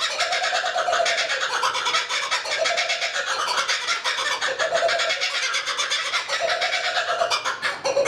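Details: A lone kookaburra perched in a tree by a lake near Tuggerah, Australia; dense, rapid chuckling notes pulse steadily throughout, with a lower hooting band swelling and fading in repeated bursts.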